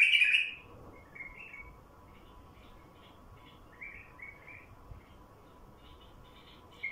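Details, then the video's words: Song of a wild bulbul, played to attract wild bulbuls: a loud bubbling opening phrase, then a run of softer, short chirped notes over several seconds, with another strong note at the close and a constant background hum. "تغريد بلبل وحشي لفتح البلابل الوحشية"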